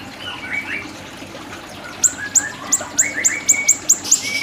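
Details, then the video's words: Siri-siri singing as a tutor recording: quiet mid-pitched whistled slurs give way to a quick series of bright, high downward-flicked notes about three per second. "Masteran Burung Siri-Siri"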